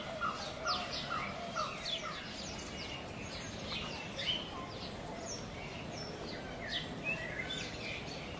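Wild cockatiels give overlapping chirping and whistled calls, with a few lower repeated notes early on.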